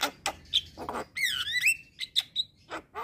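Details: Javan myna, known locally as jalak kebo, singing energetically: scratchy notes lead into a bright, wavering whistled phrase that slides up and down, followed by short pinging whistles and a closing rasp.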